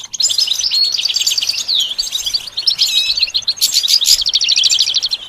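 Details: Goldfinch singing a varied, musical song: rapid high twittering mixed with repeated buzzy trills, sweeping whistled slurs and sharp chirps, delivered continuously and loudly.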